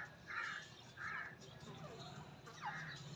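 A female grey francolin gives three harsh, scratchy notes about a second apart over a low background hum.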